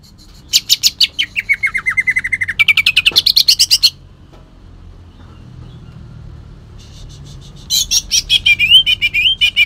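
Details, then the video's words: Green leafbird (cucak ijo) from Kalimantan singing in the rough 'tembakan kasar' style, its song filled with long-tailed shrike (cendet) mimicry: rapid buzzy repeated notes, a descending whistled run, a pause, then another high chattering burst. "cucak ijo kalimantan tembakan kasar"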